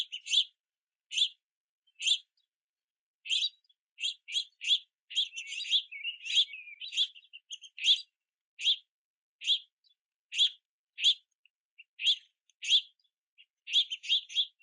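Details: Several young house finches wait at and below a backyard feeder in rain, chirping and flapping wings at parents to be fed; steady series of sharp high chirps about every half second, with a denser overlapping burst midway.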